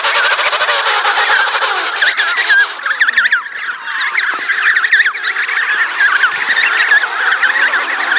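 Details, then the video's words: Emperor penguins at Cape Washington, Antarctica, while chicks are being fed: a dense chorus of loud trumpeting, warbling and wavering calls from many birds, overlapping continuously. "황제펭귄 밥먹이기"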